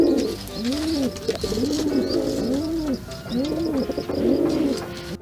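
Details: Pigeon; coo; courtship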